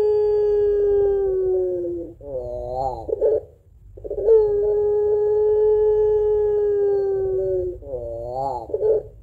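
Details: Puter pelung dove giving its two-note crying coo, prized as a lure for doves: a long even hoot, a rising and falling quaver ending in a throaty flourish, then the pattern repeated almost exactly.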